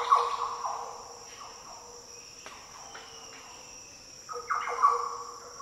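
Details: Green oriole singing in the Daintree rainforest, Australia: two deep, liquid, fluty phrases, one at the start and one near the end, with a quiet gap between, over a steady high insect hum.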